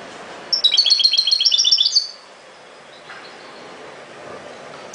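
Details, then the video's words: European goldfinch singing a rapid twittering burst of about one and a half seconds, bright tinkling notes repeated several times a second, then quiet with faint background hiss and a brief final chirp. "غناء جميل لطائر الحسون chante du chardonneret"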